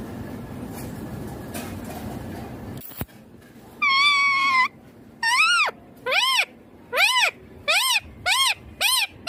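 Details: Indian ringneck green parrot giving a long flat harmonic screech, then a string of loud arched squawks that rise and fall, repeated roughly every second over quiet room noise.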